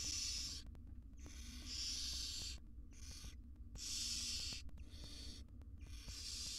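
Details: Barn owl mother grooming tiny chicks in a monitored nest box, wild birds; loud rasping hisses of one to one and a half seconds alternate with brief silences, over a low steady hum.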